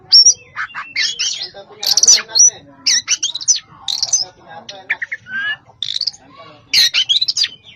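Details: Oriental magpie-robin, known locally as koci, singing vigorously in the full-fill style packed with varied phrases: rapid bursts of high whistles, chirps and rising and falling slurs, broken by short pauses, over a quiet background.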